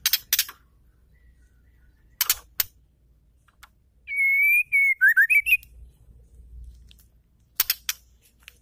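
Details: Female white-rumped shama whose voice is used to excite male shamas into singing: one clear whistled phrase of a level note slurring down into quick choppy notes, with sharp clicking and tapping noises before and after.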